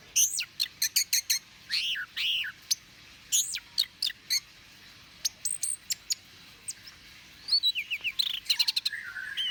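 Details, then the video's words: Orange-headed thrush song used to lure and provoke birds: fast series of high, sharp downslurred notes and chips, with a twittering, rolling phrase near the end. "Pancingan suara anis merah"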